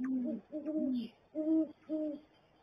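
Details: Male and female great horned owls together at their nest; four loud, low hoots in under three seconds, each with a clear higher overtone, the female's hoot sounding less low.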